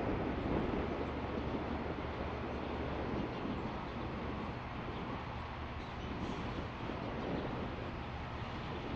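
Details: Continuous broadband rumble like a passing train or vehicle, recorded at night, with no animal calls.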